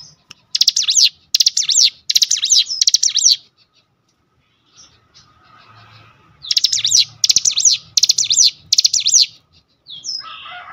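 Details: Lure song of a cinereous tit to provoke other cinereous tits into singing: four fast chattering phrases, a three-second lull with faint noise, then four more, each of swooping rapid notes.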